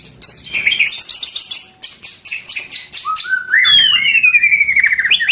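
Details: White-rumped shama, a kept bird, pouring out a loud varied song: high rapid chips and trills, then a long clear whistle rising and falling in stepped notes, over a faint low background hum.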